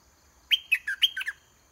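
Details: Caged decoy red-whiskered bulbul singing to lure a wild bird down to fight: a quick phrase of five or six bright, clear notes, each dropping sharply in pitch, against a quiet background.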